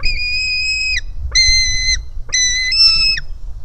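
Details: White-tailed eagle chick, hungry at the nest on 4 July 2018, jumping toward its mother; three long, level, whistled squealing notes, each about a second long with a sharp rise and drop at the ends.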